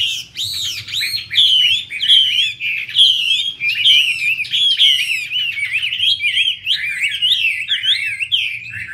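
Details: Singing Chinese hwamei while a female dances with outspread wings to rouse the male: a nine-second torrent of loud, looping, bouncing whistles and trills, with a steady low hum behind.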